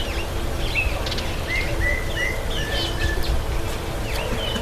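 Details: Fiscal flycatcher taking a bath: short, clear whistled notes at mid pitch, some slurred upward, others flat, scattered over a few seconds against steady background noise and a low hum.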